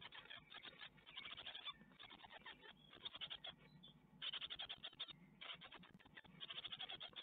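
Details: Nestling great tits being fed a spider at a webcam nest in Ostwald on 12 May 2021; rough, rapidly repeated chirps swell and fade in waves, with quieter scratching between the louder bursts.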